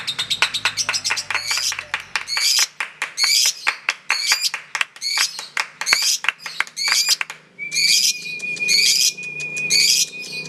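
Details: Lovebird competing in a song contest, sending out rapid chattering notes, then harsh, spaced squawky bursts over a steady thin whistle.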